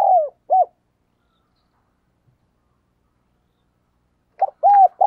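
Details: Decoy spotted dove calling to lure wild doves: the tail of a phrase with two low, hoarse coos, several seconds of silence, then a new phrase of husky arched coos begins.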